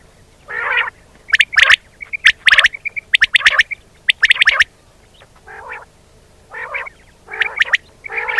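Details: Common quail audio from Pakistan used to attract birds for net hunting: gritty squawking phrases and sharp clicks, interspersed with small triplets of clear notes, irregularly spaced.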